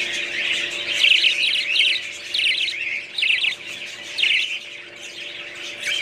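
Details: Budgies giving distinct bursts of fast, scratchy, high chirping roughly every half second to second, separated by quieter gaps, with a faint constant hum in the background.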